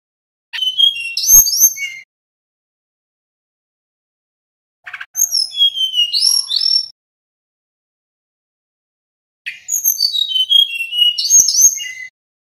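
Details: Little pied flycatcher; song; male song used to provoke other birds to respond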